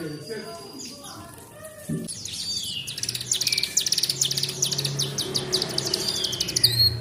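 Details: Caged canary tutored with the song of the mountain prinia, delivering fast high trills and twittering after a quiet start, notes repeated rapidly, over low background hum and rustling.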